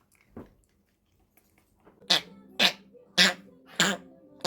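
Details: A female rescue pet Congo African grey parrot, known for mimicking coughs, farts and burps, gives four harsh, breathy cough-like bursts about every 0.6 seconds, after a softer single burst near the start.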